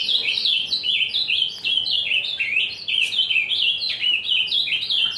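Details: Ultramarine grosbeak (azulão), described as fibrado and singing a lot: a continuous, fast warbled song of rich whistled notes that rise and fall in bright, looping phrases with no pauses and no other clear sounds.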